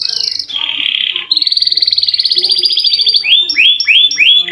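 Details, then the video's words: Canary song for coaxing reluctant canaries to sing, with a steady buzzy tone, then a pulsing high roll lasting about two seconds and four repeated down-curving whistled notes at the end. "KENARI GACOR NGEROL PANJANG COCOK UNTUK PANCINGAN BUNYI BURUNG KENARI YANG MALAS BUNYI!!!"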